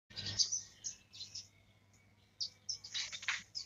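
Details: Young black-throated canary learning to roll its song, likely caged: scratchy high twittering bursts with a pause mid-clip, faint steady low hum underneath.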